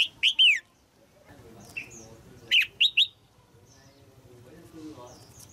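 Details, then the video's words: Female red-whiskered bulbul in a cage, singing to stir an adult male: two bright phrases of three or four quick falling whistled notes, separated by a quiet gap with soft low murmuring. "นกหัวจุก birds นกตัวเมียขับขานอย่างไพเราะในกรงเพื่อกระตุ้นนกตัวผู้ที่โตเต็มที่"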